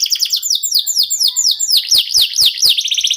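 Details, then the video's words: Local canary in full song meant to spur other birds into singing, with a steady series of about a dozen falling whistled slurs ending in a fast bright trill. "KENARI LOKAL GACOR TOTAL, SEMUA IKUTAN BUNYI..PANCINGAN AMPUH BIKIN CEPAT GACOR"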